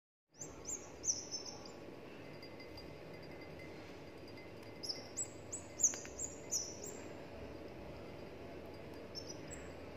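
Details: Albino red-whiskered bulbul chick, 17 days old, hand-reared since hatching, giving thin, high, slightly falling chirps in short clusters of three or four, spaced by pauses, over a steady low background hiss and a faint hum.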